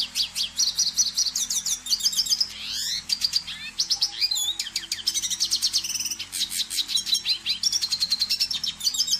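Red siskin singing a fast, continuous stream of high twittering notes, chirps and buzzy trills, with a faint low hum underneath.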